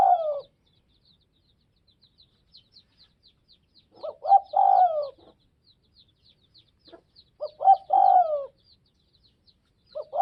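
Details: Spotted dove of the Tây Bắc (Northwest) region cooing steadily. Each phrase has quick stuttered notes and a long, slurred descending coo, repeated roughly every three to four seconds, over faint high twittering.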